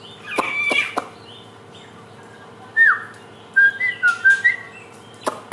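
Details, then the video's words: Helmeted friarbird, a bird native to Nusa Tenggara (NTB/NTT) known as the bird of 1001 voices, used as lure audio for young birds learning sounds; sharp clicks open, then brief slurred whistled notes, some falling, some rising, in quick bursts. "Pancingan samyong trotolan belajar bunyi"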